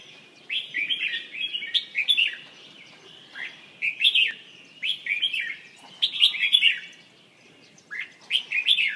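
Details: Red-whiskered bulbul (chào mào) singing repeated cheerful, warbling phrases of quick rising and falling whistled notes, each about a second long, separated by brief pauses.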